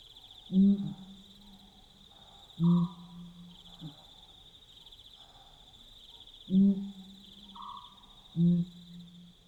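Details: Night-time duet of Pel's fishing owls in Botswana, calling to stay in contact and mark territory. Four deep, booming hoots fall in pairs about two seconds apart, each ending in a low hum, over a steady insect drone.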